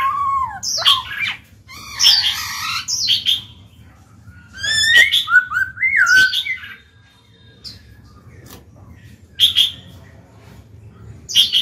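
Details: A kept Black-throated laughingthrush sings to prompt fledgling birds into song: bursts of sliding whistles and harsher chirps early on, then sparse, sharp high notes after a quiet stretch.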